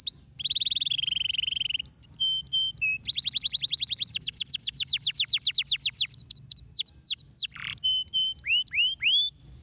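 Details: Canary song meant to stimulate canaries into singing: a sustained warbled tone, short clipped notes, then a long fast trill of downward-sweeping whistles slowing into spaced swoops and rising notes.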